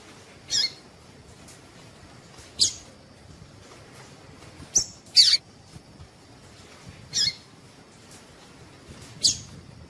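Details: Female double-collared seedeater (coleiro tui tui) calling, a call used to stir males into singing: six short, sharp, high chips spaced about two seconds apart, with one note doubled, over a faint steady background hiss.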